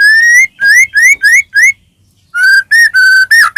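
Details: White-rumped shama, caged, singing a recording meant to provoke other shamas into singing: a series of rich, rising whistles, then a pause and a run of steadier, flatter whistled notes.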